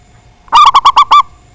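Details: Local zebra dove singing in a big voice, a song used to provoke rivals into singing. One quick phrase of five loud, clipped, hollow coos, evenly spaced, the last slightly drawn out, over a faint steady hum.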